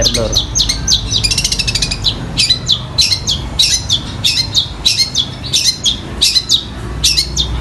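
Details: A long-tailed shrike sings imitations of fighting sparrows and a kingfisher: a fast buzzy trill, then harsh, high chirps repeated more than once a second in a steady, excited run.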